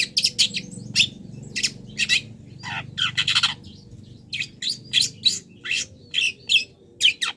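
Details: Long-tailed shrike delivering mimicry-filled song of wild-bird imitations, used as a training master for cage birds; energetic, harsh high chirps and squeaky notes follow each other closely with little pause.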